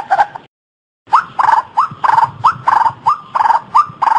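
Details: White-breasted waterhen giving loud nasal notes, each with a short rising inflection, repeated roughly twice a second after a brief opening note and a pause; a low rumble underneath.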